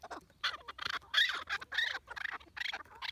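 A chukar partridge gives harsh, clucking chuk notes, about three a second, loud and rasping, with brief pauses between bursts.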